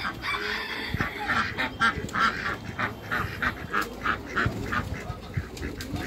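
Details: Farm-kept Pekin ducks, a group of two drakes and one female, giving a dense, fast series of nasal quacks and honk-like calls that overlap in quick succession against continuous low background noise.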